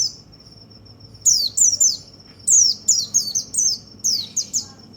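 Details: White-eye song to rouse other birds: after a second of quiet steady whine, clusters of sharp, high down-slurred chirps come in quick bursts with short gaps.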